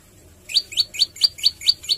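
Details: Olive-backed tailorbird singing strongly in a song of variations and 'tembakan'. After a quiet half-second, seven bright, rising chirps follow one another at a quick, steady rhythm over a soft low hum.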